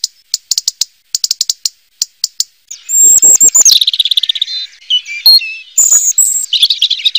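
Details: Short dry ticking calls in irregular bursts lead into a loud robin song of sweeping whistles, warbles and trilled notes, high and continuous, in a quiet setting.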